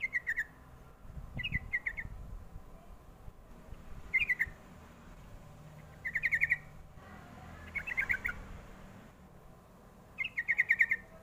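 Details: Sooty-headed bulbul lure call for drawing answers from young birds: bursts of quick, clear chirps in groups of two to six, repeated roughly every two seconds, with faint low rumbling beneath.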